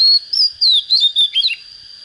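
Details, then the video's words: Young white-rumped shama starting to reach singing form, giving a short clear whistled phrase of sliding notes rising and falling, over a steady high-pitched tone in the background. "Chích chòe than mộc CHỚM LỬA || có chất GIỌNG CHUẨN"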